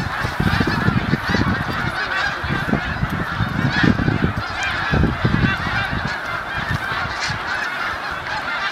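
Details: Hundreds of snow geese landing on Cayuga Lake form a dense chorus of countless overlapping nasal honks and yelps, rising and falling together in a continuous, roaring babble.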